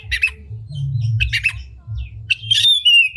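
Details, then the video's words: Oriental magpie-robin singing a unique lure song with its tail spread, used to rouse other magpie-robins. Scratchy squawking notes and chips come in short clusters, ending in a clear, drawn-out whistle that slides down. "Pancingan Kacer Gacor Buka Ekor Lagu Unik! Bagus Buat Menaikan Emosi Kacer Lain Agar Gacor"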